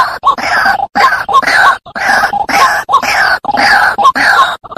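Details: White-breasted waterhen lure call: a steady series of coarse, groaning croaks, each burst roughly half a second long with short gaps between, forming a continuous harsh, throaty chant with a clear background.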